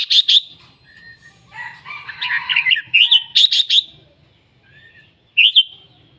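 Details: Red-whiskered bulbul singing busily, with sharp chirps at the start, then a dense, jumbled warbling passage, a run of crisp repeated notes, a pause, and one final whistled phrase.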